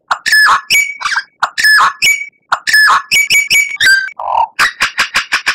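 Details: White-rumped shama, a popular Indonesian songbird, in a master recording for tutoring captive birds: loud harsh notes mixed with clear ringing whistles, a low mellow note, then a quick series of sharp chips.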